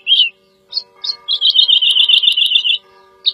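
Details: Woodlark, Lullula arborea, giving a few short introductory notes, then a rapid trilled run of even repeated notes lasting over a second, over a steady faint hum.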